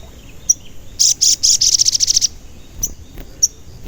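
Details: A lively sogon, used to provoke other birds into singing, gives a rapid run of about a dozen loud, high, piercing chirps in under two seconds, then a few isolated sharp notes.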